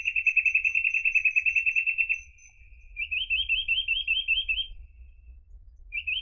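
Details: Reed parrotbill, a rare endangered bird of reeds, giving a fast steady trill of high clipped notes, then a short run of rising upslurred notes, a pause, and one more brief phrase; faint low hum throughout.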